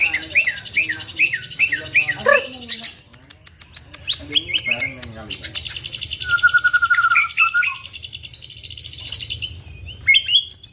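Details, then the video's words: White-rumped shama song containing female prinia imitation: a series of looping whistled notes, then sharp clicks and buzzy chatter, a long high trill and a steady whistled rattle, ending in brief sharp chips. "Muray batu isian prenjak betina"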